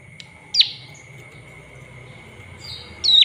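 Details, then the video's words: Olive-backed tailorbird call used as a lure to stir other birds' emotions and make them sing energetically: two sharp, high chirps about two and a half seconds apart, each a quick rising-falling note over a steady background hum. "Pancingan suara prenjak lumut biar emosi naik dan gacor.."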